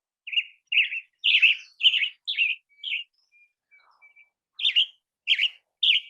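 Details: In spring, a tanager sings short, hoarse, burry phrases, about two a second, broken by a pause; a thin, faint whistle from another bird far away sounds in the gap.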